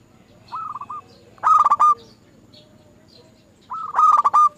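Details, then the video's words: Zebra dove song played as a lure to get other doves singing: a soft stuttering coo phrase, then two loud rolling, broken cooing phrases about three seconds apart. "Pancingan Burung Perkutut Bikin Perkututmu gak mau diem"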